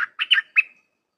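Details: Red-whiskered bulbul, Dok Taeng style song played for training young birds; a single brief phrase of three or four bright chirped notes ending in a trailing whistle.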